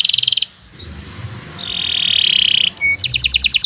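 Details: Canary song for training other birds: a brief fast trill, then a long steady high whistled tone, followed by a quick series of repeated sweeping notes.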